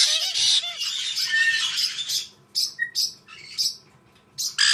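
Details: White-bellied parrot screeching loudly: a long run of harsh, rasping, broadband squawks in the first two seconds, then separate short harsh bursts spaced about half a second apart, with one brief clear whistled note mixed in.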